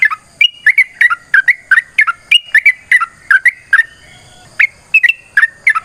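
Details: Sooty-headed bulbul in long, energetic fighting-style song, a rapid run of bright whistled notes dropping and rising between phrases, repeated about three times a second with brief pauses.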